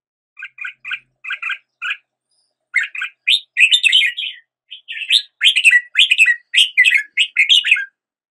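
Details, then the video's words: Opening with repeated clipped double notes in a steady series, a red-whiskered bulbul then breaks into loud, rich warbling phrases of swooping whistles to the end. "Red whiskered Bulbul Song"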